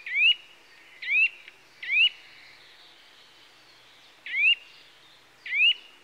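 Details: Upward-swooping whistled calls of a Eurasian nuthatch (Sitta europaea): three quick notes less than a second apart, a gap of about two seconds, then two more evenly spaced, ringing notes.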